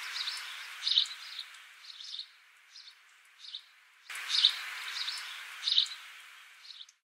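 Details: House sparrow recorded in Australia in December 2015, giving bright, short chirps in irregular clusters every second or so, some louder notes standing out, against a constant hissing background.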